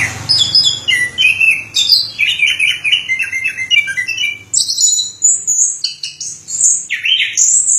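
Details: Anis kembang, the orange-headed thrush, from Indonesia, pours out a fast run of warbled notes stepping downward, pauses briefly, then shifts to brighter, higher whistled phrases.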